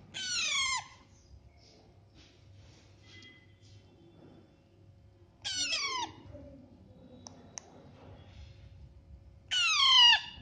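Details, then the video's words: Baby parrots feeding themselves: three loud, harsh, harmonic calls, each sweeping steeply downward and lasting under a second, spaced about five and four seconds apart, with faint clicks and a quiet room between them. "Baby Parrots Natural Sound (Chirping)"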